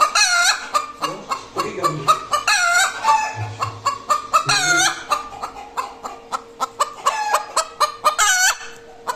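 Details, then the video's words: Following egg laying, a hen gives dense clucking at about four per second, mixed with several long, loud squawks, and low rumbles early on. "Hen Egg Laying Sound || Hen Make Noise After Laying Egg"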